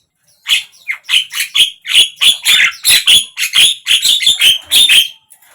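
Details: Lively, continuous chatter of a Javan myna used to get a silent bird singing, with fast rasping and buzzy notes, some with whistled tones, repeated several times a second for about five seconds.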